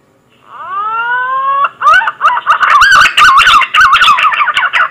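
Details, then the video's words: Green pigeon call used as a trapping lure: a long steady whistled note rising at the start, then breaking into a fast series of wavering, yodel-like whistled phrases repeated in quick succession. "SUARA PIKAT BURUNG PUNAI"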